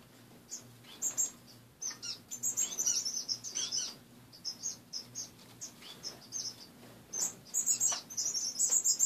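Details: Caged pet finches indoors in the morning call in scattered short, high tweets and brief chattering runs, several birds answering one another with irregular pauses, against a low constant hum.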